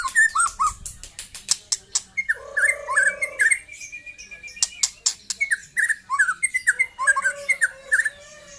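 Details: A young white-rumped shama sings fast phrases of hooked whistled notes, with a steady lower whistle underneath in places and a dense series of sharp ticking clicks through the middle.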